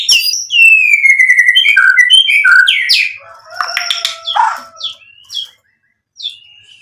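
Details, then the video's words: White-rumped shama singing hard ('gacor') as a provoking lure: a dense run of slurred whistles and quick chirps gives way to harsh buzzy notes, then a few scattered clear whistles separated by short gaps. "MURAI BATU GACOR buat PANCINGAN agar BUNYI NYAUT emosi BONGKAR MATERI ISIAN | SHAMA BIRD"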